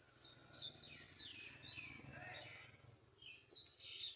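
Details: Garden sunbird feeding a chick at the nest, giving a series of very high, pure, sharp tsip notes over softer lower twitters, with a faint low hum in the background.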